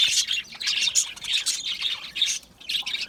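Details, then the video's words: Small Australian parrots in an aviary chirp and squawk in harsh, scratchy bursts, several notes each second with short gaps. "Budgie chirping sounds"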